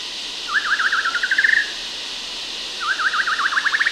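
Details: White-rumped shama in Sumatra, Indonesia: two quick phrases of rapid, repeated rising notes that speed up into a rattling trill, over a steady hiss of distant cicadas.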